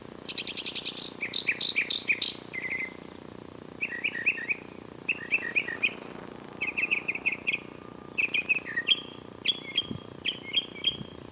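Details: Singing bird, Western Ave in Glendale, California, 84.9°F: opens with a fast high buzzy trill, then a long sequence of quick chirping phrases of three to five notes each, ending in sharper downslurred whistles, over low hum.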